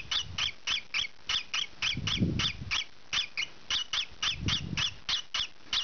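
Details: Young rosy-faced lovebird of green pied colour calling during scratching; some twenty sharp, harsh squawks at an irregular pace, mixed with bursts of low rustling and scratching noise.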